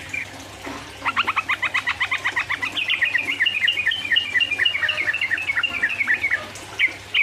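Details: Sooty-headed bulbul in 'ropel uplik uplik' song, used as a lure to provoke rivals. After a short pause comes a long, fast run of clipped whistled notes, about four a second, stepping slightly higher midway through, with a steady low hum beneath.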